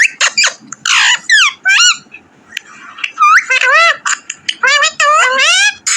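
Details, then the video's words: A pet talking Alexandrine parakeet chatters in squeaky, speech-like bursts, with high arched and sweeping syllables in quick runs broken by short pauses. "PARROT 🦜TALKING VEDIO"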